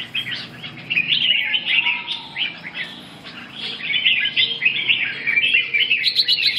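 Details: Red-whiskered bulbul at song practice, dated 2/6/2012: a continuous rapid warble of twittering, slurred whistled notes, dense and ongoing for several seconds.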